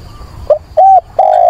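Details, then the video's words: A decoy dove cooing for a mate in wind and rain, 24 September: a brief low note, a short rounded coo, then a sustained steady coo cut off at the end, with a thin high whine throughout. "Chim cu mồi gáy gọi tìm bạn"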